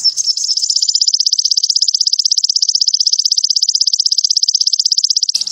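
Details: A sogon (spotted form, 'sogon trotol') gives one high, dry, even trill of rapid ticking notes, held steadily for over five seconds without a break.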